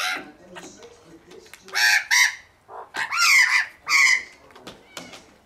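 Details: Australian magpie family feeding on unsalted peanuts in a Melbourne garden; loud harsh rising and falling calls with rich harmonics in bursts, interspersed with quieter chatter.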